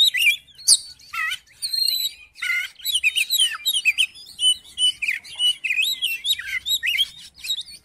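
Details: Oriental magpie-robin pouring out song to prompt another magpie-robin to sing: a fast, varied string of whistles, sharp clicks, buzzy notes and trilled flourishes, almost continuous.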